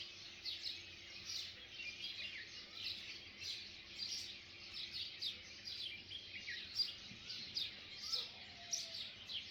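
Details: Morning bird chorus at sunrise in Kodaikanal, India, with numerous birds giving rapid high chirps and tweets that overlap continuously, a few brief lower notes near the end, and a soft constant background hum.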